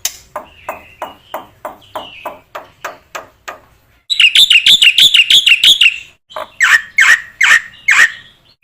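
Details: ['Black-winged myna training song: a string of dry ticking notes with faint whistles, then a dense burst of ringing high chirps, followed by four loud harsh descending rasps.']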